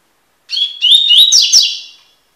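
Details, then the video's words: Double-collared seedeater (Sporophila caerulescens), tui tui song for tutoring young birds: one bright phrase of a held whistle, two upward-sliding notes and a harsh buzzy ending that trails away. "coleiro tui tui cantando (encarte)"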